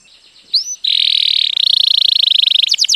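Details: White canary song begins with a quick upslurred whistle, then a sustained buzzy trill lasting nearly two seconds, closing with a few rapid falling sweeps.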